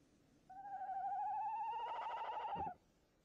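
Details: A male tawny owl in a nest box on 22 January 2018 at about 19:08 gives one long, wavering, quavering hoot of about two seconds, fairly high and tremulous, ending in a brief scuffling sound.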